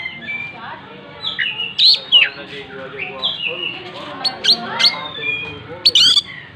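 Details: Oriental magpie-robin in full song while opening its tail: rich varied whistles, slides and sharp high chips in a dense, busy stream, with faint softer calls from other birds underneath.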